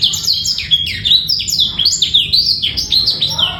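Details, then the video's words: Male black-throated canary performing a trill-free training song meant for young birds and to bring hens into condition: brisk chain of sharp, descending whistled notes and chirps, densely packed and continuous. "PANCINGAN DAN MASTERAN BURUNG BLACKTHROAT"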